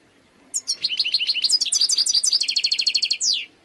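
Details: Wild European goldfinch singing: a rapid run of bright twittering notes, then a long stretch of evenly repeated liquid chirps about eight per second, ending in a falling buzzy slur; quiet background.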